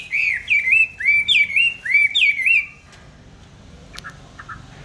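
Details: Caged songbird, bought on 19 May 2020, kept on steady food and said to sing anywhere at any hour: bright looping whistled phrases repeated quickly for nearly three seconds, then near silence with a few faint ticks.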